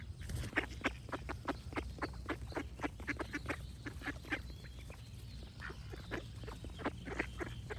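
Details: Ducks quacking in rapid, irregular bursts, short nasal calls tumbling over one another at about three to four per second, with birds singing in the background and a low steady rumble underneath.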